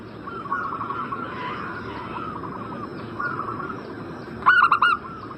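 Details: Zebra dove call used to prompt a bird in breeding condition to answer: mostly soft wavering warble, then one loud burst of four rapid staccato cooing notes near the end.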